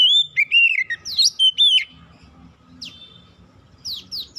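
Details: Oriental magpie-robin singing, played as a lure to prompt untrained birds to sing: a loud run of sweet whistled and slurred notes for two seconds, then softer scattered upsweeping notes over a low rumbling background.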